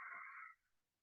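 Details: A single harsh, raucous macaw squawk, about half a second long, broad and grating, then fading into quiet background, at Chapada dos Guimarães in Brazil's cerrado, where red-and-green and blue-and-yellow macaws occur.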